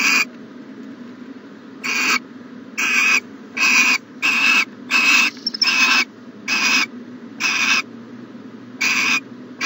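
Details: Morning nest-box recording from 14 January 2020 of an owl producing about eleven rough, wide-band hissing screeches, at first spaced apart and then coming rapidly, nearly every half second, before slowing again.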